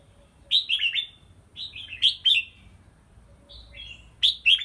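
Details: Red-whiskered bulbul in a small bamboo training cage hung high; clusters of three or four quick whistled falling notes, a bright chattering phrase repeated roughly every one to two seconds, faint hum beneath.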